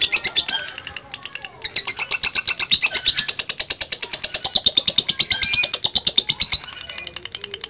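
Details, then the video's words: Lovebird in long ngekek trilling song: brief pause, then an extended rapid chatter of high sharp notes, steady and loud for over five seconds. "LOVE BIRD GACOR NGEKEK PANJANG"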